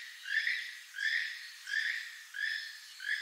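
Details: Keel-billed toucan giving its far-carrying, frog-like croak, repeated steadily: five hoarse, slightly rising croaks, roughly one every 0.7 seconds.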